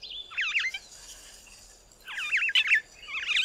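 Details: A Cape (Glossy) starling sings its cheerful song from the top of a small tree: two quick bursts of slurred, warbling notes swooping up and down at a high pitch, separated by a short pause, in a quiet background.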